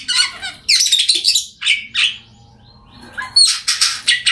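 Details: Oriental magpie-robin song played to prompt silent birds to sing: bursts of loud, harsh, buzzy chattering notes high in pitch, a pause of about a second, then more rapid scratchy phrases.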